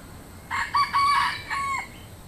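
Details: Rooster crowing in the countryside: one loud, clear crow of several joined syllables, lasting over a second, level and ringing with a drawn-out final note that drops at the end. Quiet background.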